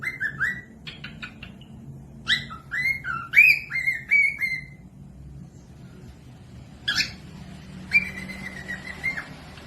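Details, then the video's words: Cockatiels singing for tutoring lazy or baby birds: quick sharp notes, then a run of descending slurred whistles, a quiet gap, and a final long steady whistled note. "Cocok buat pemasteran falk yang malas bunyi langsung nyaut pemasteran cockatiels"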